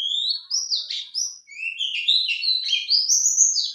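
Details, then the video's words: A male white-eye, called out by a lure, sings a steady, nonstop warble of high, thin sliding whistles, rising and dipping in rapid succession without a break. "Jika Pleci Jantan Pasti Ikut Nyaut"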